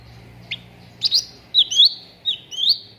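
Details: A cucak ranting plays as a lure to make contest birds sing readily. Sharp ticks lead into repeated bright upslurred whistles, each sweeping upward in a quick phrase, over a low background hum.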